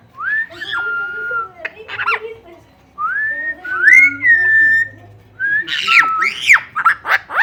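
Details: Parrots from the northern part of Guatemala giving clear whistled notes, some rising smoothly, others held level or sliding up and down, in short bursts separated by brief silences, ending in a quicker series of sharp upswept whistles.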